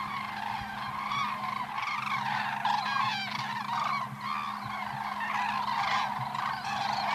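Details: Flying cranes, 2014: a dense chorus of loud, trumpeting, wavering calls from many birds at once, nearly continuous, over a constant low hum.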